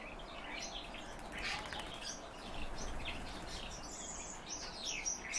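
A calandra lark pours out a fast, jumbled stream of chirps, trills and scratchy notes without pause, over a low rumble of wind.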